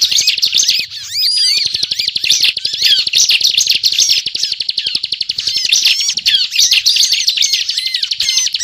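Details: Gacor ngebren singing from a ciblek, a lure for trapping: a nonstop, high-pitched babble of rapid chips and rising-falling whistles, steady in loudness throughout.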